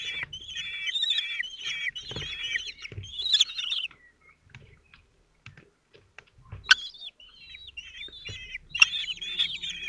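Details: Common kestrel nest at Théding on 27 June 2023, the male feeding his four 17-day-old chicks. Bursts of shrill, wavering, trilled calls come in two spells, with a quiet gap in the middle and soft scuffling sounds underneath.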